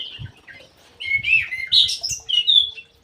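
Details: Ground thrush in an aviary in full song, giving a quick jumble of bright, rising and falling whistles and sharp high notes, with faint knocking sounds below.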